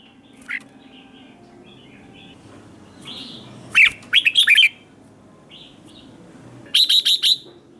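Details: Red-whiskered bulbul competition singing: a soft early note, then a loud phrase of bouncing slurred whistles and later a quick run of repeated bright chirps.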